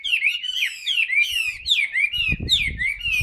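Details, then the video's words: Chinese hwamei, caged, singing with its tail fanned out: clear loud whistles sliding down then up, repeated in a rolling pattern of swoops, with a burst of low knocking near the end. "HM 275 siêu mẫu áo mới đẹp long lanh hót xòe bền"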